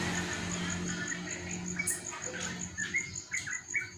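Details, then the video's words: Trucukan, the yellow-vented bulbul, after bathing in morning dew: a loose run of short, liquid chirped notes rising and falling in the middle register, getting louder toward the end, with constant high insect trilling behind. "burung Trucukan gacor terus MANDI EMBUN PAGI"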